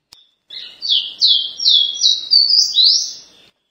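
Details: Caboclinho-lindo, a Pará-type ruddy-breasted seedeater, delivers a short bright phrase: one thin opening note, then six loud high whistles that slide down and up in steady succession, ending cleanly.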